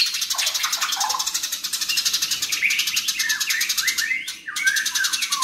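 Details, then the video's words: Fighting Eurasian tree sparrows give rapid bursts of short slurred chirps, some falling and some rising. A fast, even, mechanical-sounding pulse runs behind them the whole time. "BURUNG GEREJA NYERET SPEED RAPAT VOLUME KERAS GACOR KONSLET"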